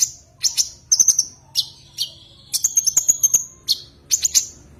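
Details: Common iora calling a rival: clusters of sharp high chirps, a drawn-out whistled note, then a fast rattling trill, followed by more paired chirps.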